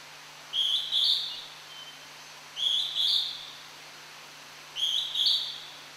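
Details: Hodgson's hawk-cuckoo song recorded in Tokyo's Tomin-no-Mori forest, the bird elusive: piercing paired whistles rising in pitch, three phrases roughly two seconds apart, faint background hum.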